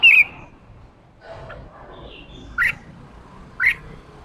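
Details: Red-whiskered bulbul, male, singing 'ché' to stimulate newly caught birds: an opening wavering whistled note followed by two short sharp chirps about one second apart against soft background hum.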